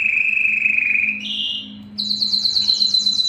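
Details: Belgian canary in full breeding song meant to draw females, starting with a level whistled trill, stepping up into a harsher buzzy phrase, then a rapid series of high chopped notes about four per second.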